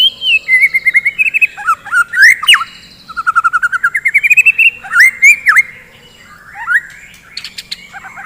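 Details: Lively morning song of a white-rumped shama, used to rouse fighter birds: whistled phrases, a rapid stuttering trill of repeated notes, sudden downward swoops and scattered sharp ticks.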